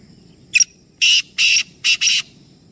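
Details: One of three black francolins calling loudly: a short sharp note followed by four broad, rasping bursts in a steady rhythm, the last pair tightly linked, over a soft low rumble.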